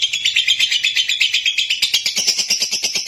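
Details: Lovebird in full song, a dense, harsh, high twitter of quick repeated pulses that grows shriller toward the end.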